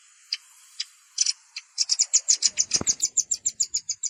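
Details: Velvet-fronted nuthatch calls mixed with juvenile calls for bird luring: a few sharp, very high chips, then a fast, even run of bright ticking notes, about three per second, with a low thump midway.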